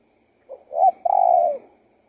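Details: Spotted dove giving one low cooing phrase: a soft short note, a louder brief coo, then a long, even hoot trailing off, with a quiet background.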